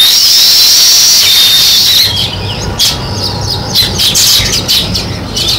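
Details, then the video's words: Sparrows in a noisy chirping chorus that thins out into separate sharp, clipped chirps repeated several times a second, irregularly spaced, against faint low background rumble. "Sparrow Chirping Sounds | Natural Sparrow Sound"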